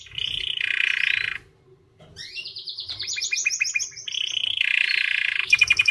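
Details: Song of a white canary, with rolling trills broken by a short pause, then descending whistled sweeps and rapid repeated notes, and a final bright fast trill.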